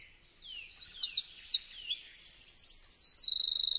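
A Eurasian wren's loud, high song: a rush of sharp twittering notes and quick repeated phrases, ending in a fast, even rattling trill. No other sounds intrude.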